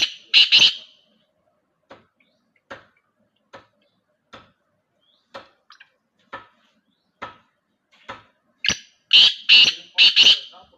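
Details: Black francolin out in open country: a harsh grating phrase of two or three notes, a long run of faint evenly spaced ticks, then the loud rasping multi-note call repeated at the end.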